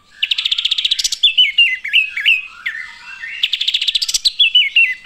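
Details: Olive-winged bulbuls chirping: a fast burst of sharp, high chirps, then a run of wavering, stepped whistled notes, and another quick chirp series near the end, with a clean background.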